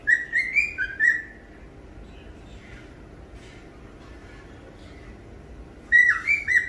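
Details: A male cockatiel sings on a rainy morning: bright, warbling whistled phrases of several quick rising and falling notes, then falls quiet over a soft steady hiss before whistling again.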